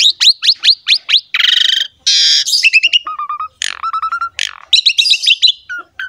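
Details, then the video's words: Training recording of a Javan pied myna singing energetically with rich fillers: sharp upswept whistles, two long harsh buzzy bursts, a steady run of short lower notes and clear high chirps. "MASTERAN JALAK SUREN GACOR FULL ISIAN MEWAH"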